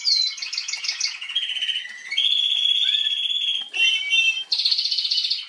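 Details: Female Atlantic canary, recorded 21 January 2022, singing a continuous high song: bright trilled phrases shifting between pitches, long steady rolling trills and a buzzy burst near the end.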